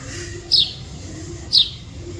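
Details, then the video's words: Wild bird (chidiya) recorded in nature: two short, sharp, high chirps about a second apart, each dropping slightly in pitch, over a faint low background hum. "Chidiya Voice Sound"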